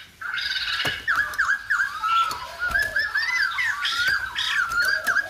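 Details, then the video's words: Lively song of a Silver-headed babbler, likened to a Lumba dancer: continuous warbling of looping, swooping notes with rich overtones, steady in pitch, and occasional sharp clicks in the background. "Khướu Đầu Bạc / Silver -headed Babbler / Singibg like aLumba Dancer"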